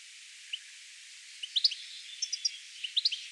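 European Goldfinch giving bright, tinkling high notes in quick twittering bursts, with a steady hiss of background noise.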